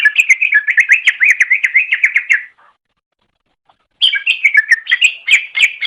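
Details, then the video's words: Greater green leafbird singing for a pet-bird training masteran: a fast, steady string of warbled whistled notes for about two and a half seconds, a short silence, then another lively varied stretch. "Suara Burung Cucak Ijo"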